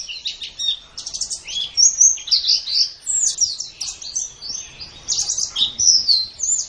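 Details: Tutor recording of a white-eye (pleci) in gacor singing: fast, jumbled high twitters and squeaky notes, bursts swelling and fading every second or so, with a little low background hum.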